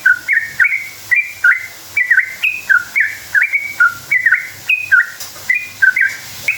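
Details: A sooty-headed bulbul sings a long, lively rolling song used as a lure to make other bulbuls answer. Clear whistled two-note phrases, each dipping then jumping upward, repeat briskly about every half second in an unbroken run.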